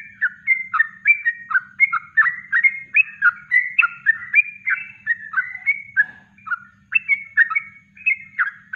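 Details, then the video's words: Yellow-vented bulbul master song, natural and undoped: cheerful bubbling whistled phrases in quick succession, about three and a half notes a second, with a brief pause near the six-second mark. "Masteran Trucuk Kongslet Alami"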